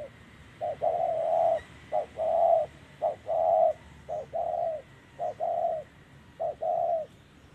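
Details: Spotted dove calling at a trapping site with a decoy, Vietnam, 2023: soft low coos in paired phrases, a short note followed by a longer drawn-out one, repeated roughly every second over quiet background noise.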